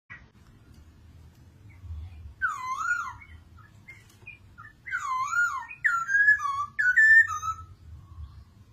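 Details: Masked laughingthrush (poksay mandarin) singing: loud, rich whistled phrases that swoop and wobble, delivered in bursts at irregular intervals with pauses between, over a low steady background hum.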